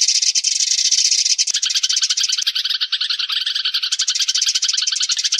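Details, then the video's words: Flock call of sparrows used to lure birds: busy, high chirping from many birds at once, quickly repeated and unbroken, with a brief shift in tone midway. "tiếng chim sẻ gọi bầy"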